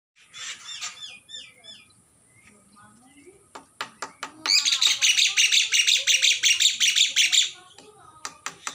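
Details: Single grown young Oriental magpie-robin in an unfenced aviary, opening with quick slurred whistles, then sharp clicks and a loud, fast, scratchy chatter lasting about three seconds.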